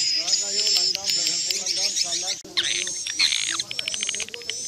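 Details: Swiftlet lure sound played to draw swiftlets into a bird house: dense high twittering and rapid chirps layered over a sustained thin high whistle, with a lower repeated warbling chatter beneath, briefly cutting out midway.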